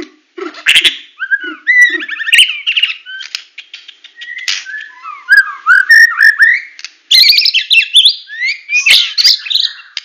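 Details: White-rumped shama of the Medan type singing in full tembakan style: rich whistled phrases sliding up and down, mixed with fast chattering bursts and a few low soft notes at the start.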